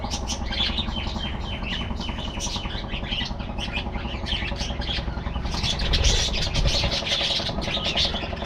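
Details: Flock of budgies in an aviary, rapid twittering and chirping notes, with a rumbling engine-like noise swelling midway.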